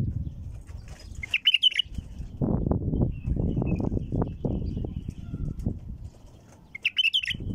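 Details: A female bulbul gives brief chattering, bubbling phrases near the start and end, meant to start other bulbuls singing. Heavy low rumbling and knocking fill the gap between them.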